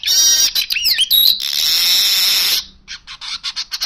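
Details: Singing Baya weaver gives a dense, high buzzy wheeze with a sliding whistled note in the middle, held for over two seconds, then followed by a run of quick dry clicks.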